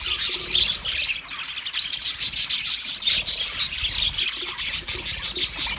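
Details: Budgies chirping, dated 29 February 2024: warbled high chatter, then from about one second a fast run of clicking, ticking pulses mixed with squeaky tweets continuing to the end.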